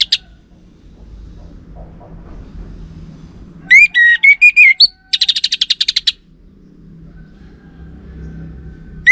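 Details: Orange-headed thrush song played as a lure that males reply to. One short burst of looping whistled notes is followed by a rapid ticking rattle of about ten notes, with near silence before and after.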